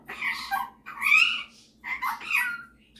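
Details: Male superb parrot kept as a pet indoors, performing his singing and mimicking. It gives three loud, nasal, squawky phrases with wavering tones, each under a second long and spaced by brief silences, over a low background hum.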